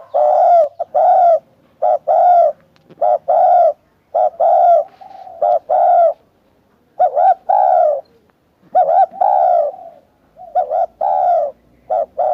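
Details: Spotted dove giving a long run of soft, throaty coos: paired notes, a brief coo then a longer purring croo, repeated steadily with a few pauses, the later phrases slightly fuller and drawn out; quiet surroundings.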